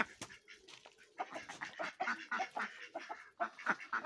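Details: Ducks playing in snow, giving a busy run of harsh, nasal quacks in overlapping bursts, several birds calling at once with short gaps between volleys.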